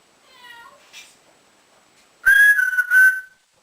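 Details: Indoor pet African grey parrot, male, known to whistle like a builder and to imitate cats, dogs and ducks; faint soft sounds, then one loud, steady, slightly wavering whistle lasting about a second.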